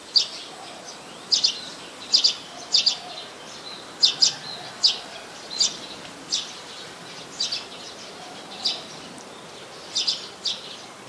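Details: In Ubon Ratchathani, Thailand, on 4 February 2020, a Streak-eared Bulbul gives a loose series of brief bright high notes, often doubled, with irregular gaps and faint background noise.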